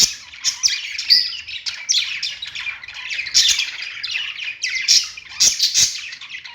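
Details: Pet budgerigars singing on a perch: a dense, continuous stream of scratchy, buzzy chirps and twittering warbles, with sharper clicky notes bursting out at intervals over a quiet background.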